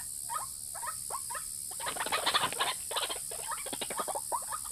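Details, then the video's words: White-breasted waterhen call used as a lure for both sexes: a few spaced croaks, then a dense, louder burst of overlapping rapid notes in the middle, easing back to separate croaks, with steady background hiss. "pikat burung ruak ruak jitu memikat jantan dan betina"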